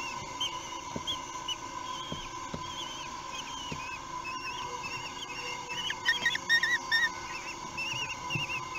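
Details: Three-week-old common kestrel nestlings beg during a feed on 8 June 2021 at Théding, France: short, quavering, high whines repeat throughout and grow louder and denser near the end, over a constant low hum.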